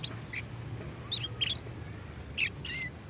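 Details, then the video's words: Young canary practising its twittering song (ngeriwik): short high chirps and quick upslurred and downslurred notes in sparse bursts of two or three, with gaps between, over a steady low background hum. "Kenari Paud AF Belajar Ngeriwik"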